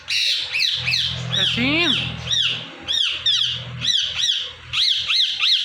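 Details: Indian ringneck parrot repeating "Mithu" in steady, high, arched squawks about twice a second, with a rising buzzy phrase in the middle over a low hum.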